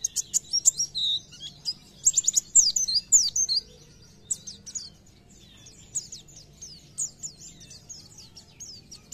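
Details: Oriental white-eye (pleci) in gacor, nembak singing style: fast, high, thin chirps and rapid downslurred notes in bursts, busiest in the first four seconds, then softer twittering; faint low hum beneath.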